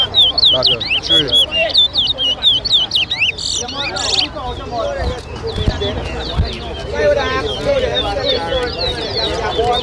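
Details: Towa towa, or chestnut-bellied seed-finch, whistling during a bird club competition at Lusignan, Guyana, in 2023. Rapid, bright, repeated whistled phrases fill the first four seconds, followed by murmuring spectators and faint music.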